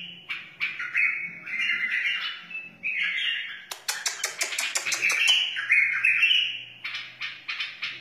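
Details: Wild white-eared bulbul giving fluty, slurred warbled phrases, broken midway by a rapid series of sharp clicking ticks, then resuming the melodic song.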